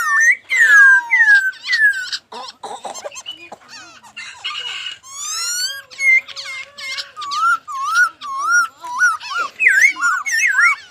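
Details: Loud descending whistles open the laughingthrush song, followed by harsher notes and a regular series of rolling, looping whistled phrases.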